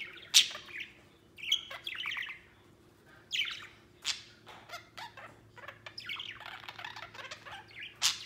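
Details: Male white budgerigar playing outside the cage with a second budgie: irregular high chirps and short squawky bursts, then a run of quick ticking notes and warbled chatter, ending on a sharp squeak.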